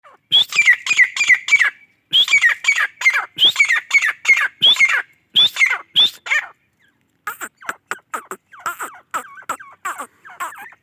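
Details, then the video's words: Grey francolin (gora teetar) giving its masti call: loud, harsh, ringing notes repeated about three per second in quick phrases, with a short pause and then a series of lower, scratchier notes. "teetar masti | teetar masti awaz | Gora teetar awaz | Gora teetar masti awaz"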